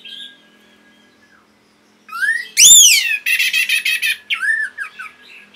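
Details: Orange-headed thrush training song for caged birds: a faint whistle at first, then after two seconds loud rising and falling whistled notes, a bright arched phrase and a fast burst of buzzy, chattering notes.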